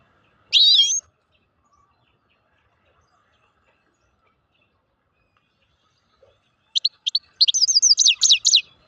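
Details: Grey-crowned or Altai goldfinch song: one loud, high slurred note, a long silence, then a rapid tinkling run of metallic twittering notes that builds into a dense, bright flourish.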